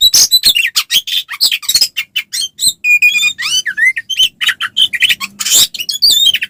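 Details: Oriental magpie-robin, a caged singing bird, in fighting song used to provoke other males into answering: fast, varied phrases of sharp chirps, rasping notes and clear whistled slurs, densely packed with brief pauses.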